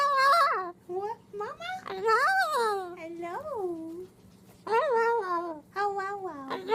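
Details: Moluccan cockatoo kept as a pet, talking indoors: a quick series of voiced, word-like syllables that bend up and down in pitch, grouped into phrases split by a clear silent gap.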